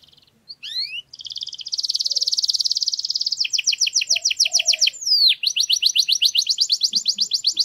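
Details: Canary singing in a garden: a loud, high continuous trill, then fast rhythmic repeated notes and rolling trills, with brief upward sweeping whistles between phrases; no other sounds heard.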